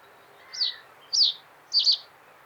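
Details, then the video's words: Common reed bunting singing a short, high, bright phrase: two separate descending chips about two-thirds of a second apart, ending in a quick doubled note, over faint steady hiss. "Голоса птиц Как поёт Тростниковая овсянка (Emberiza schoeniclus)"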